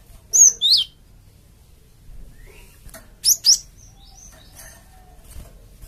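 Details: Java sparrow lure call meant to draw replies from a flock of untamed birds: a pair of loud whistled chirps, then a second sharp pair, then scattered faint high notes.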